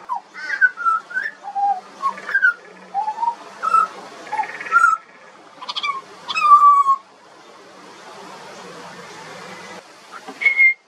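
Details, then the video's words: Young pied butcherbird from Australia in song, giving a rapid series of pure whistled notes that rise, fall and hold level, phrase after phrase for about seven seconds, then a quiet gap and one last high whistle. "Butcherbird. Bird Singing. Bird Call and Sounds"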